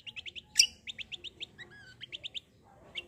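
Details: Black-winged myna (cucak kombo) in a combative, rolling, chatty song: quick series of short bright chirps repeated about every tenth of a second, broken by one loud harsh burst and a few downslurred whistles.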